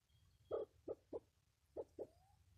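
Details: Mikado pheasant, a second-class protected species, uttering five short, low, hoarse clucks within about one and a half seconds: three in quick succession, a pause, then two more, over a quiet background.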